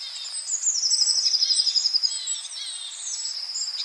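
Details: Long-tailed tit in a yard in Joroinen: a fast, high, thin trill of evenly spaced notes lasting over a second, with fainter high twittering before and after. No other sounds.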